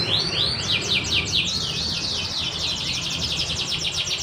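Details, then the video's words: Canary of the panda colour variety singing: a rapid run of bright, buzzy rising-and-falling sweeps about four per second, merging into a dense fast trill, over steady low background noise. "Kenari panda istimewa 😍🤤 Gacorrr"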